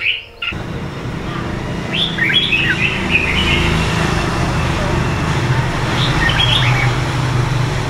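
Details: Red-whiskered bulbul, a wild-origin bird from A Lưới, Huế, Vietnam, with red eye patches, two seasons: bursts of short, bright warbled notes rising and falling, one phrase near the start and another late, over a steady low engine-like rumble.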